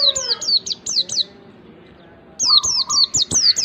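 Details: Pleci lure song to make a white-eye start singing: two bursts of brisk, high, downward-swept notes, roughly five to a burst, separated by a one-second silence, with a faint lower trill.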